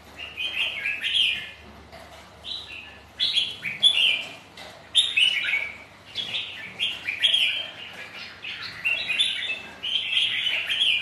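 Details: Rival red-whiskered bulbuls kept as fighting songbirds duel in the wind and rain, throwing out short, chirpy whistled bursts every second or two, with brief quiet gaps between the phrase clusters.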